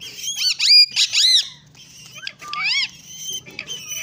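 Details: Pet green rose-ringed parakeet talking: a string of shrill, harmonic, speech-like syllables with rising and falling arched notes, loud bursts early then softer chatter and a gurgling phrase, with faint low murmuring underneath.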